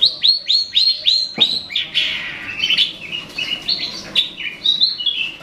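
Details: A long-tailed shrike calling to lure a rival gives a quick run of five sharp, high, upward-flicking notes, then a harsh, scratchy chatter mixed with thin whistles.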